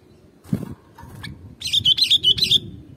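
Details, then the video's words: ['Sooty-headed bulbul song meant to lure birds: after a brief rustle and a thin note, a fast string of bright chirping whistles, slightly rising and falling, over soft low background noise.'] "Suara Kutilang ini"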